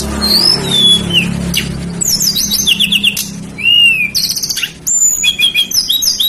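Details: Lesser shortwing in full, lively song, used as a lure to draw other birds: high, varied whistles, sliding notes and rapid chattering bursts in quick succession, with a low steady hum underneath.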